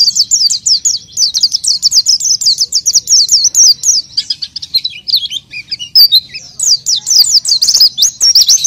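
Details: A vigorously singing oriental white-eye used to prompt untrained birds. A fast series of repeated high, slurred chirps, a brief looser stretch in the middle, then quick rhythmic chirping again.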